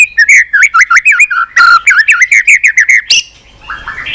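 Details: White-rumped shama in sustained song, flicking its tail on a perch and using many unusual voices: a fast run of about a dozen warbled, looping whistles at mid pitch, then a sharp high note and a softer trailing phrase.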